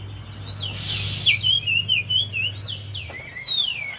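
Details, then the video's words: Javan white-eye lure song for a bird that will not sing: rapid wavy trilled notes, then a long falling whistle, over a soft low hum. "Buat Pancingan Untuk Poci Yg Malas Bunyi"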